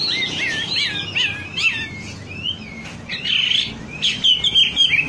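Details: Wambi song meant to get birds singing actively: a short burst of warbled chirps, a pause, then loud harsh buzzy notes and a few whistled slurs.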